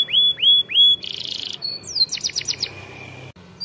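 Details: Singing canary whose song is used for training young canaries: three loud rising whistles, a harsh buzzy block, a thin held note, then rapid descending chirps and a sustained tone, with faint background hum.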